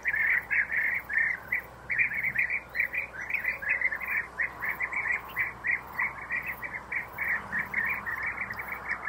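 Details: Bee-eaters, European species, feeding their young in nest holes. Steady stream of short, rolling, slightly buzzy notes repeated several times per second, likely from more than one bird, over a soft hiss.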